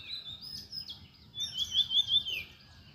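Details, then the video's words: Birds at sunrise in the morning give clear, high chirping calls: a run of thin whistled notes, then a louder series of four or five quick, rising-and-falling chirps in the second half, over faint low background noise. "সকালবেলায় সূর্য ওঠার মুহূর্তে পাখির ডাকে মুখরিত পরিবেশ"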